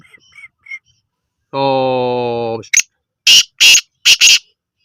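Black francolin giving harsh, grating, high notes in a quick broken phrase of about five bursts, preceded by a steady low nasal drone.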